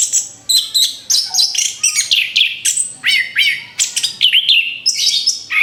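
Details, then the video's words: Orange-headed thrush in full song, played as bait for other birds: fast, dense bursts of high whistled and buzzy notes repeated about twice a second with upswept slurs, near-continuous. "TEMBAKAN BERUNTUN SUARA ANIS KEMBANG BUAT PANCINGAN MAUT"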